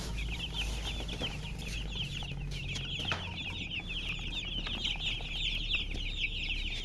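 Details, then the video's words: Chirping chickens, a hen among them: a continuous chatter of thin, high peeps from several birds, crowded together without pause, over a faint low hum and light clicks. "silly chicken chirping sounds with murgi hen color chicken"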